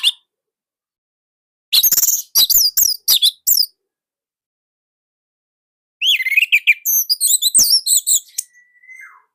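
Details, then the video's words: Orange-headed thrush from Indonesia, a hobby bird singing nonstop, used as tutor song. A rapid series of sharp, high chirps is followed by a warbled run of slurred whistles, ending in a thin falling whistle. "Anis Merah Indonesia//Gacor Nonstop"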